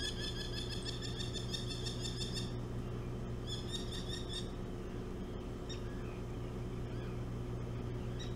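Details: A merlin buzzes a person close to its nest on Hog Island, 25 July 2017, one of a nesting pair. It gives a fast, laughing run of sharp ringing notes, then a second shorter burst and scattered single notes, all over a constant low motor drone.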